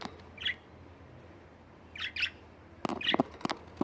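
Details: Household budgerigars calling: a single chirp, then a quick double chirp, followed by a cluster of sharper notes mixed with clicks and tapping in an indoor room.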